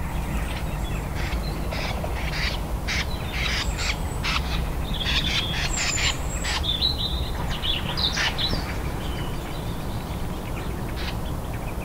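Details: Common snipe flushing and taking off, giving harsh, rasping "kszk" single notes at irregular intervals, some clustered together, over a constant low rumble of wind.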